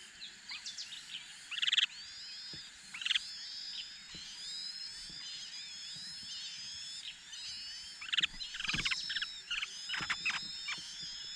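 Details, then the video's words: Chinese hwamei pair raising four chicks: overlapping high whistled and chattering notes, many short rising and falling phrases layered together, with a few loud sharp bursts near the start and later. "The Chinese Hwamei couple is raising their four chicks"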